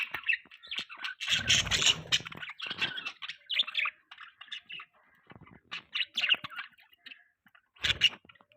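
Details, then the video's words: Budgerigars chirping while eating a green leaf; busy, scratchy chatter in short bursts with soft warbled notes, broken by brief pauses and a few louder squeaky outbursts. "Budgies Chirping Sounds"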